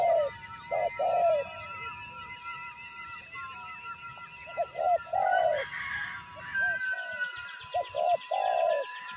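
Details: Spotted dove acting as a lure bird in trapping, answering the sight of a wild bird: several runs of low coos, short notes leading into longer ones, with a brief burst of higher chirps midway and a steady tone behind.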